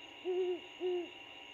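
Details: Great horned owl couple chatting at a nest 75 ft up a pine, an abandoned bald eagle nest in Georgia; two low, even hoots in quick succession, each about a third of a second, with quiet hum.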